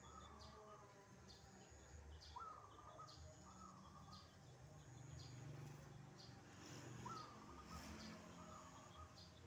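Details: Wild zebra dove (perkutut) in the morning, answering a caged bird kept at home. Faint cooing phrases, each a rising note then a rolling trill, several times over low rural background noise.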